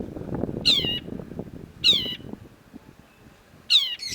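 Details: Long-tailed shrike calling, recorded as a training track for songbirds: three loud, harsh, descending rasping notes spaced about a second or more apart, over soft low background rumble.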